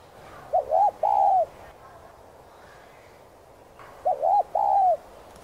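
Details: Cooing spotted dove, hạp bổi voice style, for training captive doves: two phrases about three and a half seconds apart, each a quick two-part note then a long, softly falling coo, over quiet background.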